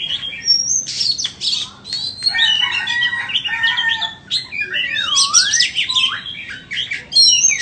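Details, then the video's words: White-rumped shama offered for sale, singing a rich, varied run of whistled phrases, some sliding down and rising in loops, with sharp high notes and chattering bursts packed tightly together. "Chích choè than bông"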